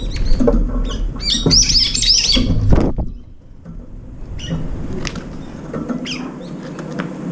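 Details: At a window feeder, Brown-eared bulbuls come one or two at a time to eat: a burst of loud, shrill, wavering squeals in the first half, then quieter scattered high notes and soft background noise.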